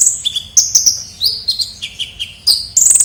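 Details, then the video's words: A kolibri ninja sunbird calls busily for luring birds, with quick thin chirps stepping up and down in pitch, a few slurred whistles, and a final shrill rapid trill. "pikat suara burung kolibri ninja gacor"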